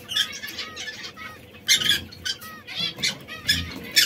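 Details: Three canaries of different colours (red, yellow and brown), which squabble now and then: short harmonic chirps with bursts of harsh, noisy squawks and flutter sounds at irregular intervals.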